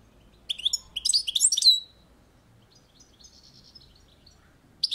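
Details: Bright twittering phrase from a European goldfinch on a balcony, a rapid cluster of high chirps, then soft faint notes and a fresh burst at the end.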